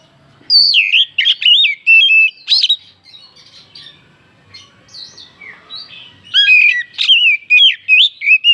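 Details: Oriental magpie-robin song used as a lure to excite other birds: loud, rapid runs of sweet whistles and quick slurred notes in two bursts, with a short softer pause between them.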